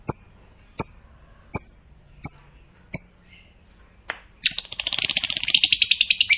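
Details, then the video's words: Fighter lovebird: five sharp, high chirps spaced under a second apart, then a burst into its long 'ngekek' chattering trill of rapid shrill notes. This trill is said to get other lovebirds singing along. "Suara Burung Lovebird FIGHTER Paling Dicari, ngekek panjang bikin Lovebird Lain Ikut Bunyi"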